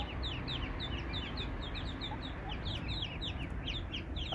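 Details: A brood of Eastern spot-billed ducklings with the mother, lost away from water; a dense chorus of short falling whistles repeats rapidly and continuously throughout, above low-frequency hum.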